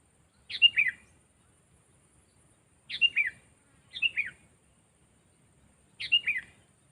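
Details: Sooty-headed bulbul trained to be brave as a decoy for trapping other birds, its voice loud and clear; four bubbly, descending whistled phrases at irregular intervals of one to two and a half seconds, quiet background.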